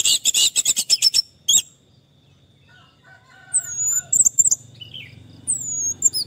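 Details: Orange-headed thrush singing for a stressed bird that stopped singing: a rapid burst of repeated sharp notes, then a pause, then scattered thin, high whistles and slurred notes over a faint low hum.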